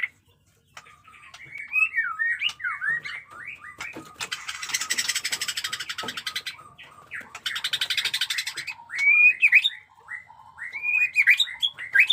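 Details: White-rumped shama, 'jenggot dewa' type, caged bird in fresh plumage, delivering fighting song in 'batuk koral' and 'muntah beling' styles: rich whistled and chattering phrases, with dense buzzy rattling bursts midway.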